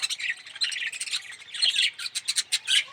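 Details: Yellow budgerigar giving dense, scratchy squawking chatter: rapid overlapping harsh notes in quick bursts, almost continuous for three seconds.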